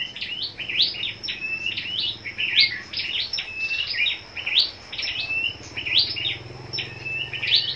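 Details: A captive Scarlet-backed flowerpecker (Dicaeum cruentatum) gives its fighting song: high, sharp, clicking chips and short buzzy trills, repeated in quick bursts about every second.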